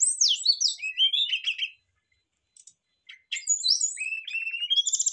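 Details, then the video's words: Brown-chested jungle flycatchers answering each other loudly: a fast cascade of sliding high whistles and trills, a pause with faint notes, then another rich, warbling phrase. "rata rata srdc langsung sahut sahutan ngeplong bongkar isian ,pancingan tercepat srdc gacor"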